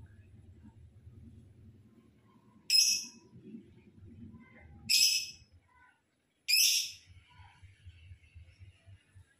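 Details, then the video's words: Lovebird in lively song meant to stir rival birds: three sharp, harsh chirps a few seconds apart over a low, steady rumbling background. "Love Bird Gacor Lawan Pasti Langsung Ikut Bunyi Sekali Putar"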